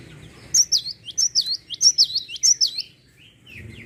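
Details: Java sparrow in full, energetic song meant to provoke other birds: a steady, even series of about ten high, ringing downslurred notes, fading into softer lower chips and background murmur.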